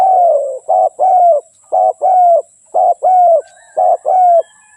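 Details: Spotted dove song: a steady, rhythmic run of low coos, each short note followed by a longer, gently falling coo, the pairs recurring about once a second.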